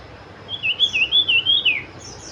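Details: Sooty-headed bulbul, locally called cipow or cipoh, singing one bright warbled phrase of rapidly undulating whistled notes lasting just over a second, then falling away at the end, with a soft high note following over quiet background hiss.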